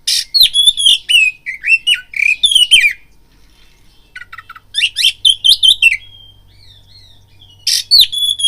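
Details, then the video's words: Oriental magpie-robin singing a lure song meant to provoke fighting: bursts of clear whistled notes and slurred phrases mixed with harsh rasping notes, a quiet gap midway, then more whistles, with a faint low hum. "BIRAHI TARUNG KACERMU NAIK DENGAR PANCINGAN KACER INI BUNYI"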